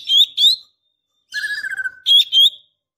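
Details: Female Oriental magpie-robin calling the male: two bright ringing whistles, a flat lower whistled phrase with rapid flutter, then two more bright whistles.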